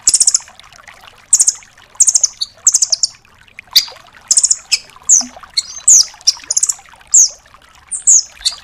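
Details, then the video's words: Velvet-fronted nuthatch, the red-billed 'rambatan doraemon', recorded to teach cage songbirds; a long string of high rattled bursts and sharp slurred whistles, fast and continuous, with faint background noise. "MASTERAN BURUNG RAMBATAN DORAEMON FULL TEMBAKAN"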